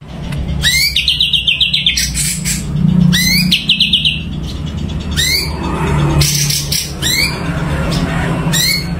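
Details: Sumatran leafbird, locally cucak cungko, singing vigorously: loud bursts of rapid, repeated rising chirps and ringing trills a few seconds apart, with a steady low hum and faint background noise.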